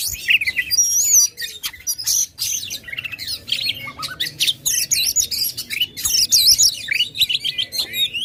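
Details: Oriental magpie-robin singing loudly and continuously, used as a lure to excite competition birds: a long stream of high whistles, trills and scratchy notes, with a pure wavering whistle early and dense mimicry-like phrases later.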